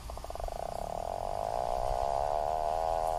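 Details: Strange call of an Atlantic puffin: a rapid stuttering purr that smooths into a sustained, nasal harmonic groan, growing louder toward the end, with low rumble underneath.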